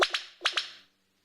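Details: Male black sicklebill (Epimachus fastosus) in forest, courtship call from his display territory: two pairs of loud, explosive, whip-like notes about half a second apart, advertising the display area to distant females and announcing presence to nearby males.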